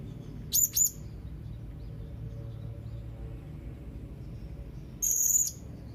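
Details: Young Blue-crowned hanging parrot calling to rivals. Two sharp, very high chirps come early, and a longer, buzzy, shrill note follows after a long pause. Low background hum throughout.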